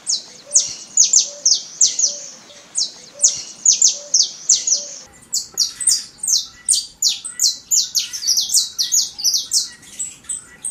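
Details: Wild Saffron Finch singing powerfully in nature, first clipped high chirps in short clusters over faint low repeated tones, then a faster, denser run of sharp downward-slurred notes continuing to the end.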